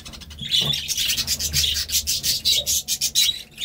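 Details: Budgerigar giving a continuous raspy, scratchy warble of rapid high chirps with no real break, over a low background hum.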